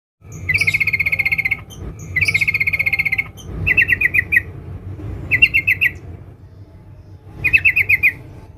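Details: Female sooty-headed bulbul calling a male with a dense, tight chatter: five bright, buzzy bursts of rapid notes, each about a second long, separated by short pauses, over a low background hum.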